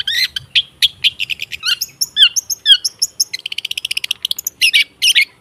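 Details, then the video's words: Long-tailed shrike song for coaxing birds that have stopped singing: scratchy chattering and swooping downward whistles, then a fast even trill of ticking notes and a few harsh bursts. "Suara TERAPI pancingan cendet /pentet macet total , di jamin buka paruh"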